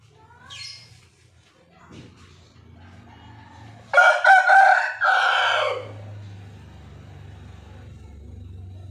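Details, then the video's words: A white rooster gives one loud, harsh crow of about two seconds, broken into several pulses before a drawn-out final note, after a few faint clucks; low background hum throughout. "Ayam Jantan Putih Berkokok"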